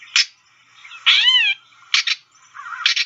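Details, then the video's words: Gray Catbird calls from a bird guide app: short harsh broadband bursts near 0.2, 2 and 2.9 seconds, plus one longer slurred mewing note with layered harmonics around 1.1 to 1.5 seconds. "And the final call that I'd like you guys to know about the gray catbird is the kind of ratchet call that they produce."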